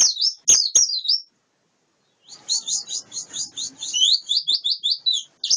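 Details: Wild-caught white-eye: a short twitter with clicks, a pause, then a rapid chain of high chirps that slides into lively warbled notes.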